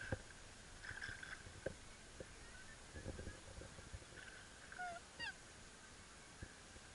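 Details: Black swan during its mating dance gives a few soft, scattered honks, then a clearer bugling note with a rising-and-falling trumpet near the end; quiet outdoor background with occasional knocks.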